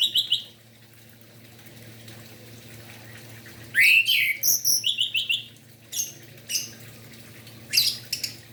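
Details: Orange-headed thrush song at morning, used to provoke singing in other orange-headed thrushes: scattered rich whistled phrases and rapid repeated notes in bursts, with gaps of soft background hum between.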